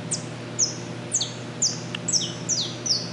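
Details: Saffron finch singing while perched on a metal structure at the Henry Borden power plant in Cubatão, São Paulo, Brazil: a rapid series of thin, very high, sharply downslurred notes, about two or three per second, over a low steady industrial hum.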